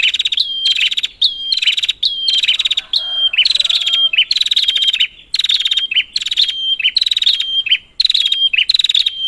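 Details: Prinia call series used as a lure for a bird gone quiet: rapid rattling buzzes, each ending in a high clear whistle, repeated steadily about every 0.8 seconds, with a soft lower warble near the middle.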